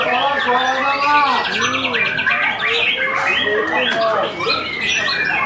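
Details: White-rumped shama after its moult, in a training session: loud whistled arched notes and falling slurs mixed with rapid buzzy trills, set against overlapping song from other birds and people talking nearby.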